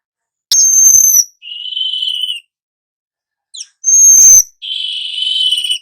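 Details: Young weaver's active 'ngerol' song, used to train other birds: twice a piercing high whistle followed by a lower, long buzzy wheeze, with a gap between the two phrases.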